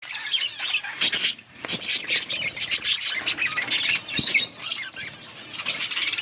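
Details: Budgerigars in an outdoor colony chirping while eating: a dense, overlapping chorus of high, scratchy warbles and chirps, with louder bursts near the first second and again past four seconds.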